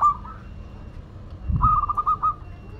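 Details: Brief song from a local Madura zebra dove: a short coo, a pause with a low thud, then a quick string of clipped, slightly buzzy notes.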